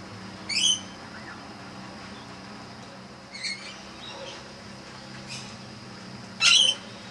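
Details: Sulphur-crested cockatoos hanging around a house front one afternoon, giving three harsh, grating screeches about three seconds apart, with fainter bird calls in between.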